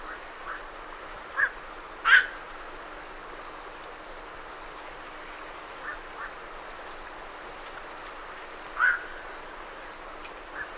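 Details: Night herons leaving a roost give a few abrupt, hoarse croaks, two close together early on and another near the end, with fainter calls between. Great reed warblers sing in the background over constant low hiss.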